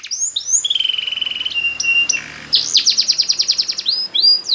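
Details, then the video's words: Spanish Timbrado canary training song with varied phrases: short high whistles, a long buzzy rolling trill holding one pitch, then a rapid pulsed trill and sweeping whistled notes, all clear against a quiet background. "Extraordinary !! Many Canaries Sang Along After Listening To This Song"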